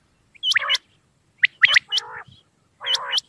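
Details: Common quail at night giving bright, abrupt notes that slide upward, each followed by a nasal, buzzy harmonic note, repeated in three spaced groups; quiet setting.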